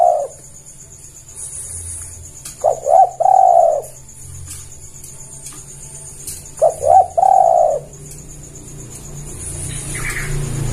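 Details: Spotted dove call used as a trapping lure: two three-part coo phrases, each a short low note, a rising hitched note and a long mellow drawn-out coo, about four seconds apart, with a faint steady hum and high hiss behind.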